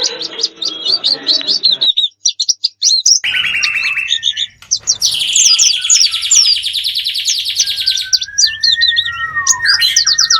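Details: Wild-bird lure sound. Dense high twittering and rapid chirps are broken by abrupt short gaps, then a loud chorus of quick sweeping notes, and finally a drawn-out whistle.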